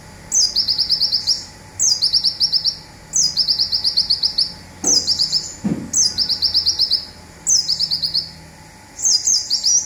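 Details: Indonesian local olive-backed sunbird repeating its rapid zipper phrase, a master song for songbird training: each burst a high downslurred note then a quick run of buzzy ticks, seven bursts roughly every one and a half seconds, two soft knocks.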